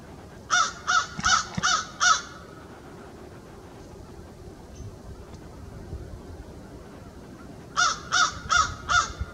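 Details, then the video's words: American crow (Corvus brachyrhynchos) cawing to its social group in winter at Valens Conservation Area, January 26, 2020: harsh, hoarse caws in a quick run of five, a pause, then four more, about three per second, over a low rumble. "American Crow cawing"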